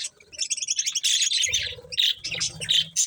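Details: Budgerigars chirping while eating corn: rapid bright twittering chirps in dense bursts, with short pauses and low soft rustling or pecking noises underneath.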